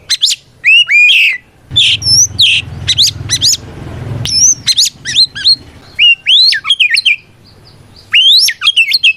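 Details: Oriental magpie-robin delivering an energetic fighting song to provoke rival birds: clusters of steep upswept whistles and sharp chips, a brief low rumble in the background, then more rapid whistled bursts.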